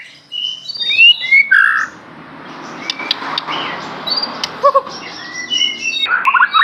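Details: Aceh white-rumped shama singing a rich, varied song: bright whistled and slurred notes, then sparse high notes and clipped chips over a steady background hiss, and a burst of rapid notes at the end.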